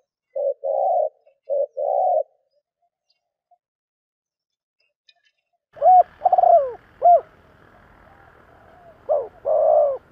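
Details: Spotted dove cooing to lure wild birds in the thúc gù style: two clean short-then-long coos, a silent gap, then an abrupt cut to a noisier take with more coos sliding down in pitch.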